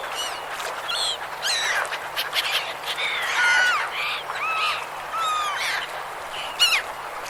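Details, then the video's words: A flock of river gulls keeps up overlapping squealing, mewing calls, harsh and slurred, with no pause across the whole stretch. "Seagull Sounds"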